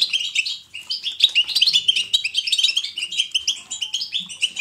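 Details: Lively natural European goldfinch batbata: a dense, chattering run of high tinkling notes and buzzy trills that pours on without a break.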